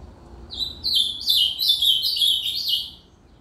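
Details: Ultramarine grosbeak song: a quick, clear sequence of high warbled notes, each sliding downward, delivered in one continuous phrase of about two and a half seconds against a quiet background.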